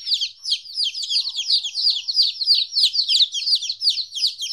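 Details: Chicks 14 days old, separated from their mother for the first time, peeping continuously: high, descending chirps overlapping rapidly, about three per second, from several birds at once.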